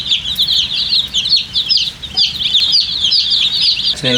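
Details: Many coloured chicks chirping for water to drink, a constant tumble of piercing high peeps with wavering pitch, plus a short low thump at the very end.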